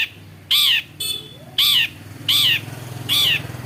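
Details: Cendet, the Long-tailed shrike (Lanius schach), described as able to imitate many other birds, repeats loud grating squawks roughly every three-quarters of a second, four in all, with a faint low hum behind.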